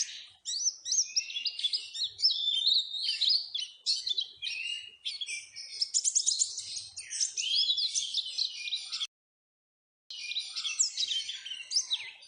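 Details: Lure recording of Oriental white-eye song meant to stimulate caged birds to sing; dense, high-pitched twittering and trilled phrases tumbling together, a brief silent gap near the ninth second, then the chatter resumes.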